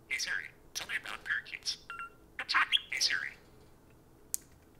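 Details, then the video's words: Two pet parakeets taking turns talking to a spoon indoors, caged birds; a rapid run of bright chirped and warbled syllables, some slurred like mimicked speech, in bursts over about three seconds, then quiet with one sharp click. "take turns talking to the spoon"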